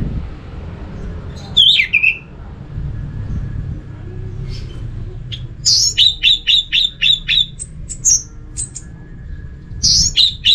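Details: Orange-headed thrush in North Bali, used to make other thrushes join in: a single swooping whistle, a pause, then a rapid series of about eight crisp, evenly repeated high notes and more bright calls.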